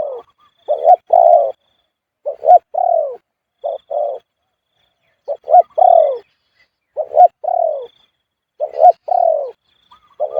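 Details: Marked Spotted Dove at point 38 repeating khu-ang coos. Each phrase has quick double notes leading into a sustained, downward-sliding coo. Phrases come in steady series with short silences between them, and the recording is clean with only a faint thin tone behind.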